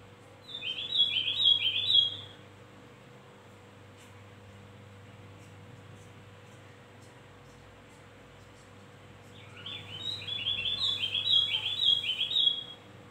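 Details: Javan grey-throated white-eye, used as a lure song to get other birds singing, gives two bursts of rapid, high twittering chatter a few seconds long, with a quiet pause between and a faint steady hum underneath.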